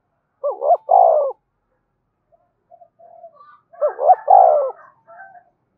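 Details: Spotted dove song intended to stimulate captive birds to answer: two phrases a few seconds apart, each two quick hooked notes followed by a longer descending coo, with soft murmuring notes in the gap.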